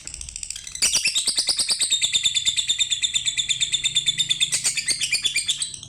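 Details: Lovebird delivering a long, shrill chattering run of high, buzzy chirps, roughly three per second, continuous and slightly uneven, with a brief louder burst near the end.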